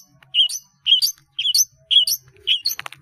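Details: Long-tailed shrike song for training caged birds: a two-part squeaky, chattering phrase repeated five times at about half-second intervals, bright and high, with a faint low buzz in the background.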